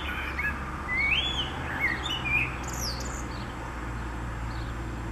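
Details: Blackbird song recorded 29 April 2019, spring: a rich warbled phrase of mellow, rising and falling whistles, ending in a squeaky high-pitched twitter, then quiet over a constant low background drone.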